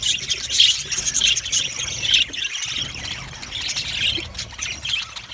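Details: Budgerigars in an aviary colony, described as happy, give overlapping squeaky chirps and warbles, swelling into louder bursts of chatter roughly every second.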